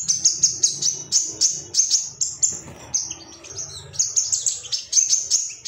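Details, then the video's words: Agitated male ruby-cheeked sunbird seeking opponents, a tutor recording for caged birds: piercing high chips repeated several times a second, a short softer passage of twitters, then the rapid chips return. "MASTERAN SOGON AGAR CEPAT NGALAS GACOR ❗BAHAN TERAPI SOGOK ONTONG"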